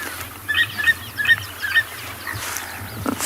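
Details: At sunrise on 14 August in Tswalu Kalahari Reserve, South Africa, a green pigeon in a fruiting tree with other fruit-eating birds gives four short, clear, fairly high whistled notes in quick, even succession amid faint rustles.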